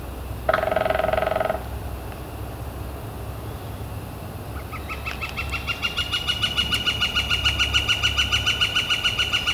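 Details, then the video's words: A Northern flicker in spring, April 28, 2014, warm and clear. A brief low buzzy burst comes first, then after a pause the flicker begins a long, strengthening series of sharp, evenly repeated notes, about three and a half per second. "Northern Flicker Calling and Drumming"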